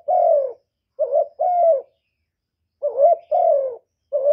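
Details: Cooing of a spotted dove meant to attract wild doves for trapping: mellow low coos in two-part phrases, a short bubbling note and a longer steady falling coo, with a pause between groups and no other sounds.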